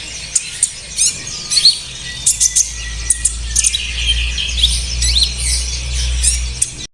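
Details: Olive-backed sunbird song meant to spur caged birds into singing: rapid thin twitters and sharp high chirps in short bursts, over a low steady hum that grows in the second half.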